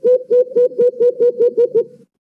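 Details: Rapid run of nine mellow, hollow hoots from a white-eared brown dove, known as alimokon, played as a trapping lure, ending abruptly after two seconds.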